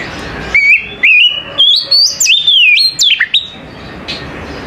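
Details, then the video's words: Oriental magpie-robin's morning song: a rising sequence of clear whistled notes, each step higher, ending with sharp up-and-down slurs and a faint final note. "TERAPI KACER PAGI HARI"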